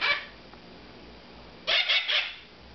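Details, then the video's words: Hungry moustached parakeet chicks, almost two months old, at feeding time on formula, giving harsh, raspy squawks: one at the start, then three quick ones in a row after a pause, over a steady background hiss. "Beep Beep feeding time- Mustached Parakeet"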